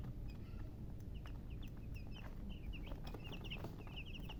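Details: Scattered high peeps from baby chicks, first sparse then quickening into clustered chirps, set against a persistent low-pitched background hum.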